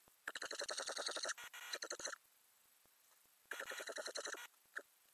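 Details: Ural owl inside a nest box with growing owlets, filmed in May by a camera under the box lid. Rapid rattling, chattering bursts of pulsed calls, two long runs separated by a pause.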